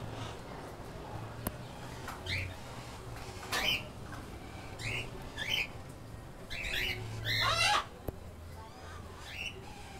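Month-old keel-billed toucan chicks give short, squeaky, rising chirps in scattered bursts, some in quick clusters, over a steady low hum.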